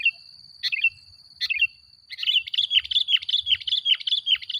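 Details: Sooty-headed bulbul singing as a provoking lure for other bulbuls: a few separate chirpy phrases, then a quick run of rapid bubbling, chattering notes, with a faint steady high whine in the background.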